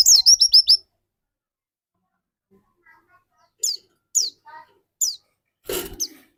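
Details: Dakun white-eye used to prompt song in other white-eyes: a fast cluster of high, falling whistled notes, a quiet gap, three isolated high downslurred notes, then a brief broadband rustling noise.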